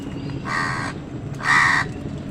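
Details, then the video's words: Two loud, rasping caws about a second apart from crows squabbling with other wild birds over food, over a low background rumble. "কাকের ডাক crow sound Wild birds fight with crows for food | Crows fight with birds for food"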